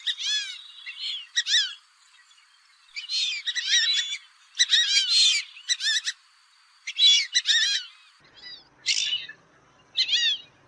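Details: Fulvous whistling duck, in a recording used for hunting, giving short bursts of shrill, arched whistles. Tight groups of notes repeat at uneven intervals across ten seconds, separated by brief silences. No other clear sounds.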